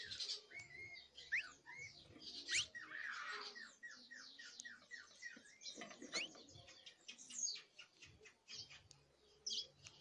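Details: Fledgling canary trying out early songs and trills: a dense, continuous, scratchy chatter of twittering notes, rising and falling whistles and rapid clicks, with a few louder bursts along the way.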